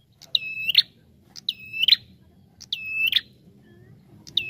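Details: Persistent calling of a Bar-winged prinia on a lure recording: four bright, steady whistled notes about a second apart, each opening and closing with crisp clicks, a low hum running beneath.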